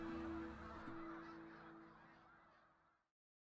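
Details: A dense chorus of Snow Goose honks from a large migrating flock, thousands of which gather in late autumn at Point Au Roche, northern Lake Champlain, New York, in 2012, fading after three seconds over a faint steady musical drone.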